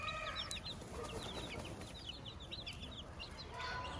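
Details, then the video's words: A domestic hen with her chicks on a farm: a dense stream of high, thin, downward-slurred peeps from the chicks runs throughout, with the hen's lower harmonic calls near the start and end. "Hilda the hen with her chicks"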